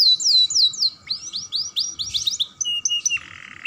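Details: Young canary in full song, played to stimulate other canaries: three descending whistled slurs, a string of quick rising notes and chips, finishing on a low buzzy roll.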